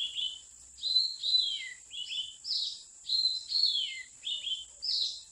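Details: Oriental magpie-robin, a wild bird near mountain people's traps, dated 8/15/16. Clear, separate whistled phrases come about every second, many ending in a falling slur, over a constant thin high background tone.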